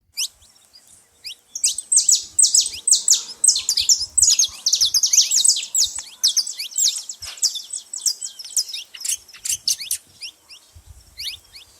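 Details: Saffron finches making a lot of noise at a feeding spot: dense, overlapping high chirps and short downslurred notes pour out almost continuously, thinning toward the end, with faint low thumps underneath.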